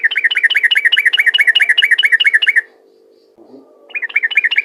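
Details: Vigorous ropel song from a yellow-vented bulbul, used to stir other bulbuls to sing. Even, rapid, repeated chirps last over two seconds, pause, then resume. A steady low hum runs throughout.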